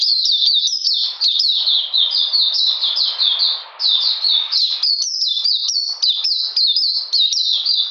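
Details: Sustained song of an Oriental magpie-robin on a cold, rainy day, 13 June 2020: high, clear, down-slurred whistles delivered in rapid succession, with one short break midway.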